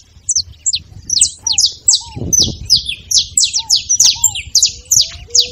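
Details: Quickening sequence of sharp, high saffron finch chirps, growing denser toward the end, played to fire up a quiet canary; a few soft low whistles and a brief rustle.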